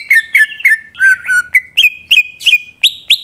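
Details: Greater green leafbird lure song to provoke rival leafbirds to sing: sharp downslurred whistles repeated about three per second, then lower slurred notes, then a series of bright rising whistles.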